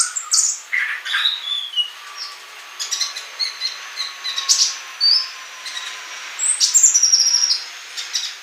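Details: Male olive-backed sunbird in song, played as a model for young birds yet to sing; scattered high thin notes and short twitters over a faint steady background hum, building to a rapid high trill.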